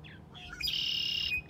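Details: Young goose calling with a few short rising chirps that lead into one long, level, piercing whistled peep, over a steady low hum.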